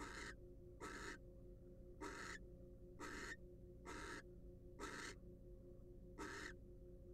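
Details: Wild barn owl inside a monitored nest box giving seven noisy, hissing screeches across seven seconds, irregularly spaced, each under half a second, with steady electrical hum in the background.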